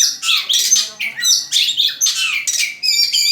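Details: Songbird singing loud, varied high phrases: sweeping whistles and buzzy trills in bursts of about half a second, separated by brief pauses.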